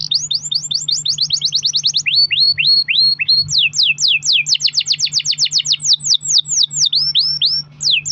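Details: Canary singing a long-rolling song, used as a lure to set other canaries singing: rapid series of high downward-sweeping whistled notes, about four per second, shifting pitch midway, with a steady low hum underneath.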